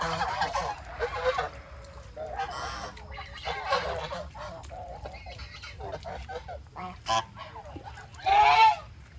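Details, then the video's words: Raised geese eating their food: broad, buzzy honks in separate bursts every second or two, ending in a loud, drawn-out honk near the close, with quiet gaps of low background noise between calls. "Beautiful Goose are eating their food"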